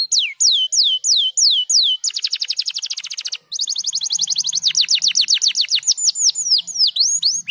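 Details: Canary song opening with repeated downslurred whistles, then breaking into fast dense trills. After a brief gap it continues with a buzzy rolling trill and finishes with swooping whistled notes.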